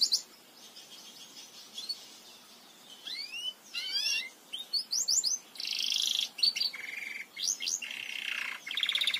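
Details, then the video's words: Tutor song of a Belgian canary for training young singers: high sweeping notes and quick rising trills, alternating with buzzy, harsh rattles and short chirped bursts, moderate volume. "CANTO PARA ENSINAR CANÁRIOS BELGAS. 30 MINUTOS DE CANTO"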